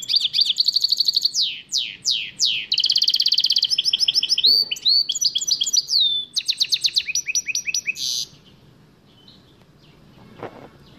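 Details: Goldfinch mule singing a rapid, varied song of trills, sweeping notes and buzzy bursts, high and bright, for about eight seconds before stopping; a soft low hum runs underneath.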